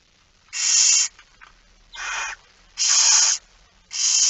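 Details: Barn owls begging at feeding time in the Netherlands, 13 September 2019, 06:57: four rasping, hissing screeches about half a second each, separated by short quiet gaps.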